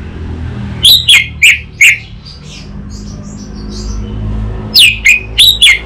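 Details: Orange-headed thrush song used as a lure and master recording: groups of four sharp descending chirps at the start and end, with faint twittering phrases between.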